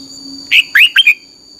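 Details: Song-training recording of a red-whiskered bulbul in 'căng lửa' style, used as a decoy: a short phrase of four rising and falling whistled notes over a faint steady high tone and low hum.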